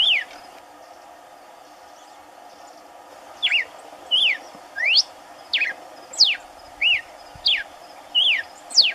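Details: Red-cowled cardinal singing in the caatinga while another feeds on corn on the ground; after a quiet start, clear whistled notes, some sweeping up and others dipping, repeated about every half second over steady background hiss.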